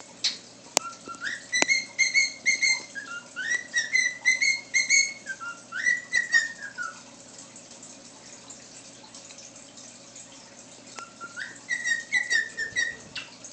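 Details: A male pet cockatiel whistles the learned tune "If you're happy and you know it" in clear, pure notes stepping up and down in short phrases, seemingly trying to win over another cockatiel.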